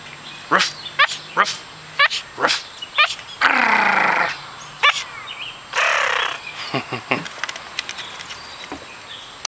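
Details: A captive Hahn's macaw gives a run of short, sharp, dog-like barks and growls with a couple of longer harsh squawks, while a person coaxes it to keep barking; recorded 24 May 2007.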